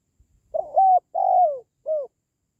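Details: A single four-note spotted dove phrase, the call used to boost pet doves or attract wild doves for trapping: brief stuttered opening, flat hoot, long falling coo, short closing note, with only faint clicks beforehand.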